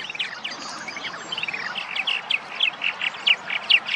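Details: Purple martins arriving in spring at nest sites in Massachusetts: a soft gurgling run of slurred chirps that grows into louder, distinct chirps in the last two seconds.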